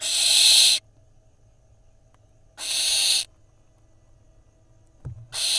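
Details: Barn owl nestling in Israel, filmed by nest camera on 30 May 2021 while mantling prey away from its sibling, gives long rasping hisses, each under a second, repeated about every two seconds, with a soft thump between.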